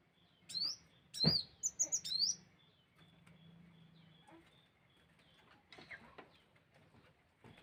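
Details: Sunbird lure call: a few sharp high chirps and quick upward-slurred whistles in the opening seconds, then near quiet with a faint low hum and a few scattered soft notes.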